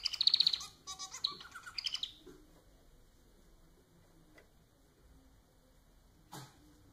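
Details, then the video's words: Society finch, a domestic pet, opening with a rapid high buzzy trill and a couple of chattering phrases that stop after two seconds, followed by quiet with one soft tap. "Vídeo para fazer seu MANON cantar muito!"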